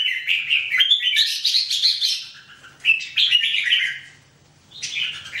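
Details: Red-whiskered bulbul singing: bright, fast jumbles of chirpy, warbled notes in bursts of about a second or two, with brief pauses between phrases, clear and close.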